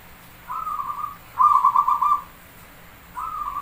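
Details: Perkutut, the zebra dove, singing in Javanese style with counted beats: three soft pulsed cooing phrases, the middle one loudest and longest, separated by short pauses.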